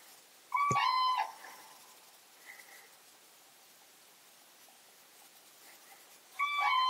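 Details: Common crane in a moor near Hannover, Germany, cranes disturbed by an observer: a loud, rich trumpeting call answered about five seconds later, a fainter call in between, over quiet background hiss.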